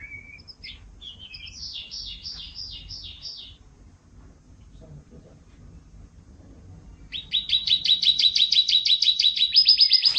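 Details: Yorkshire canary singing a long, lively masteran song meant for training cage birds: a short whistle, then a run of rolling trilled phrases, a quiet pause of several seconds, and a loud, fast, buzzy roll that ends in a sustained high note.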